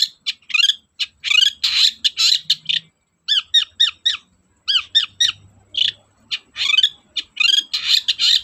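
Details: Long-tailed shrike singing vigorously, played as a lure to stimulate shrikes that are reluctant to sing: dense run of harsh, scratchy squawks and chattering notes, with short repeated downward-curving chips in the middle.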